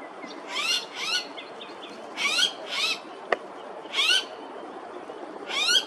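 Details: A blue-faced honeyeater (Entomyzon cyanotis) at Coomera River Causeway, Gold Coast, Queensland, gives loud, harsh, rising squeaky notes in short bursts every second or two over a faint background hiss.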